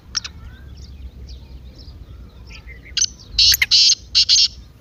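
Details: Excited 'masti' call of a partridge, used to provoke a quiet kept partridge to call. A few soft chirps first, then a loud phrase of harsh, rasping bursts, roughly five notes, over faint background noise.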